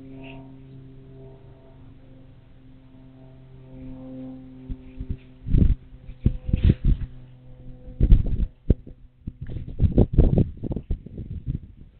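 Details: A steady low hum with faint tones, then irregular knocks, thumps and rustles, with no animal voice.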